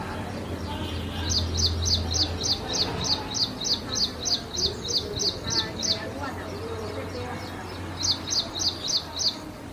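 An ashy prinia sings a fast run of high, sharp repeated notes, about three a second, pauses, then starts again, over a low background rumble.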